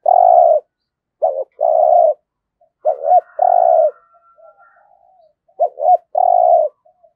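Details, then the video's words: Spotted dove kept as a decoy bird, singing in the 'giọng thổ' style: phrases of two short clipped notes followed by a long, steady, mellow coo, repeated about every two seconds, with faint softer notes between. "Chim Cu Mồi cu gáy giọng thổ cực chất"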